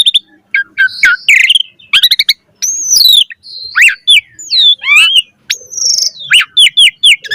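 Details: Asian pied starling singing a varied, busy song: squawks, rising and falling whistled slurs, rapid clicking bursts and harsh buzzy notes, loud and continuous.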